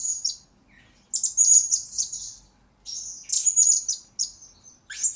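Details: Blue-crowned hanging parrot song serving as a master and lure recording for trainee birds, made of bursts of very high, thin, buzzy chirps and twittering notes roughly every second or two, separated by short silences.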